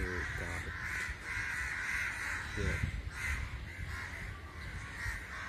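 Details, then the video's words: Flocking crows produce a busy, overlapping mass of grating caws in loose pulses, joined by a few low, gravelly calls, the whole chorus staying loud and continuous. "Why Crow's gather, making sounds"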